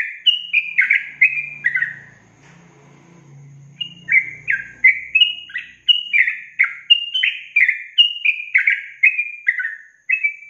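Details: Yellow-vented bulbul singing a long-trill training song: an opening run of liquid notes, a pause with low hum, then a long steady series of bright bubbly whistles.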